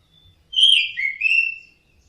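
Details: Orange-headed thrush, song used to train caged birds: one sweet whistled phrase that slides down, dips, and rises again in a short warble, with faint low rumble beneath.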